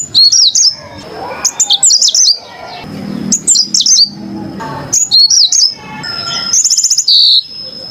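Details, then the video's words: Repeated clusters of high, twisting chirped notes from a yellow-fronted canary, ending in a rapid buzzy trill, with a faint steady whistle-like tone and soft low noise between. "kicau burung MOZAMBIK super jernih"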